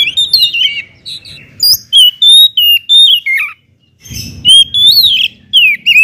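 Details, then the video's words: Loud, intense song of an Oriental magpie-robin used to provoke other magpie-robins into singing: clear whistled phrases around the upper-middle range, sliding and warbling notes in bursts with short silent gaps. "kacer gacor ngeplong SUARA KERAS BIKIN KACER Lain NAIK EMOSI,, PANCINGAN KACER AGAR RAJIN BUNYI"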